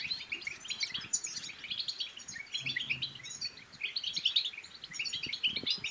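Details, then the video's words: Goldfinch song (European goldfinch) aimed at stimulating others to sing and breed: an unbroken torrent of high, tinkling, twittering notes, with a faint low hum in the middle. "بتبتات الحسون بتبتة تنطق اي حسون كان صامت سيغرد"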